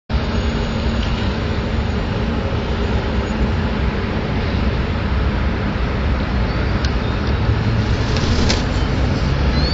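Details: Dense, steady roar of city traffic and vehicles with no clear animal voice.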